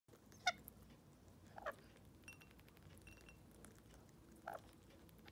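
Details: Wild rainbow lorikeet visiting a Sydney flat gives three short, sharp screechy chirps over five seconds, with a faint thin whistle from another bird in between.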